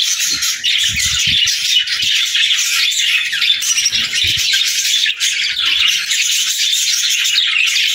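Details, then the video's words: Several budgerigars singing together, a dense unbroken chatter of warbles, twitters and squeaks filling the upper range for the whole stretch, with scattered low thumps and bumps early on and around the middle. "Parakeet Videos | Beautiful Birds Singing"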